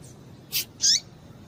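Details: Female Double-collared seedeater calling to rouse a male: two quick high notes, a burst-like chip followed by a brighter chip that drops at its end.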